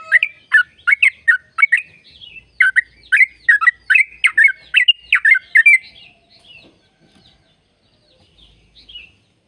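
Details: Sooty-headed bulbul, a trucuk, in a long 'ropel' trill used as a lure to make caged birds sing. Loud, harsh, rapid chattering notes repeat in a dense burst for about six seconds, then fade to a few faint, scattered notes.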